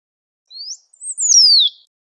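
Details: Great pampa finch singing in nature: a short rising note, a brief high chip, then a long clear whistle sliding steadily downward; no other sounds.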